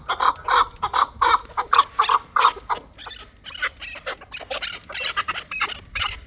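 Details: Chukar partridge bred for fighting, repeating clear clucking chuck notes roughly three per second, loud at first, then softer and more jumbled.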